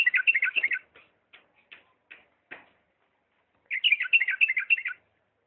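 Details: A Diyala bulbul sings 'lisanat' style: a dense phrase of quick liquid notes, a few scattered single chirps, then another long warbling phrase.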